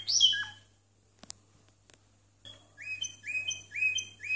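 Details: Timbrado canary with discontinuous song, 92 and 93 points: one loud high note, a near-silent gap with a few clicks, then clear rising whistled notes repeated in a short series.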